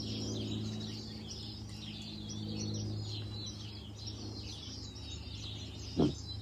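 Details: Songbirds in spring in a Northern California backyard, gathered in bamboo, said to be Canadian visitors leaving in April; many high, quick overlapping chirps and twitters over a steady low hum, with a single dull thump near the end.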